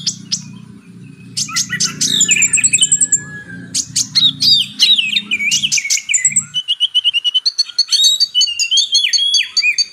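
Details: Kolibri ninja, the purple-throated sunbird, singing high squeaky twitters, quick slurred whistles and rapid chip series, with a low steady hum in the background for the first half.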